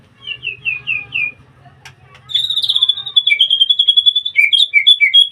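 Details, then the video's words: White-rumped shama singing in a breeding cage. Five slurred whistles fall in step, followed by a rapid, high chattering trill of evenly repeated notes and a few sharp downslurred whistles. "murai gacor dikandang ternak"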